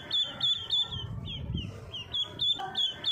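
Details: Baby ducks giving high, clear peeps that slur downward, about three or four a second in quick bursts, with a short lull and a low rumbling thump midway before the peeping resumes.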